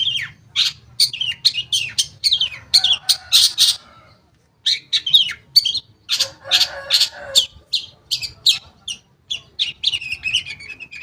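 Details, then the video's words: Long-tailed shrike singing as a lure for shrikes that have gone quiet: quick strings of high, sharp notes, a short silence, then more chattering phrases mixed with harsher rasping sounds. "Pancingan Cendet Bahan Atau Macet Bunyi, Cendet Macet Akan Ikut Bunyi"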